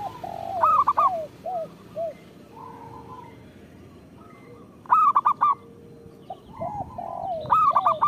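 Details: Local zebra dove singing a lure song for other zebra doves: three bursts of four or five crisp staccato coos, each separated by soft, low cooing notes and quiet gaps.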